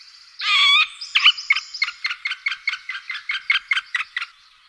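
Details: Middle spotted woodpecker, from recordings of calls and male displays: one loud, harsh, drawn-out note, then a rapid, regular series of short clipped notes that gradually softens and stops.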